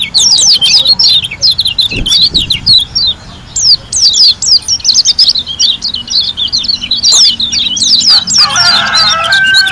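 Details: White-eye from Lombok, Indonesia, singing continuously: rapid, loud, high downslurred chirps in long rolling phrases. A harsher, lower burst of sound intrudes near the end.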